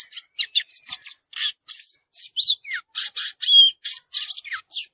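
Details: Violaceous euphonia in song in the wild: quick, varied high phrases of short buzzy chips, thin whistles and down-slurred notes, tumbling out several per second, some scratchy and rasping, in otherwise quiet surroundings.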